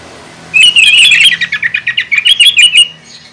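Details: Sooty-headed bulbul singing energetically to provoke rival bulbuls: a long, rapid run of bright chirping notes, warbled and pulsing about three times a second, ending in a short whistle.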